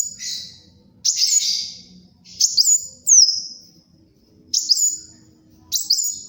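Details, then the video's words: Kolibri wulung sunbird singing vigorously, recorded for luring and tutoring birds: high, thin, sweeping phrases with sharp downward-bending notes, given in short bursts about every one to two seconds with brief pauses between. "SUARA BURUNG KOLIBRI WULUNG GACOR, UNTUK PIKAT & MASTERAN"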